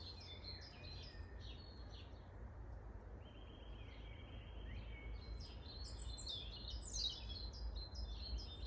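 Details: Long-tailed tits in Grunewald, 20 March 2021: high thin twitters, then a drawn-out buzzy, rattling trill lasting over a second, followed by a burst of sharp high chirps from several birds, over low rumble.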